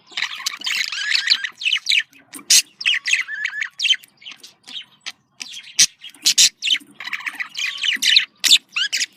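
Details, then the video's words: Budgerigar, a small Australian parrot, giving cheerful contact calls: a busy stream of bright chirps, squeaks and scratchy warbled notes in quick bursts, with short pauses between clusters. "Voz decomunicación.de loro australiano /sonido de llamada de periquito / se sentirá feliz"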